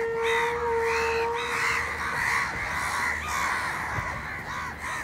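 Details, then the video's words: Indian house crows feeding together in a village and fighting over food give harsh, hoarse caws, several overlapping in a rough chorus about twice a second, with a steady whistle-like tone early on. "Village Crow Bird Crowing Sound Loudly | Crow Ki Awaz naturally | Indian Crows Sound | কাকের ডাক"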